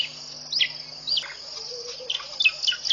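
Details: Morning bird song at a waterhole in Botswana's Mashatu Game Reserve at 5:00 am: arching slurred whistles repeated every half second or so, over a continuous high-pitched insect chorus.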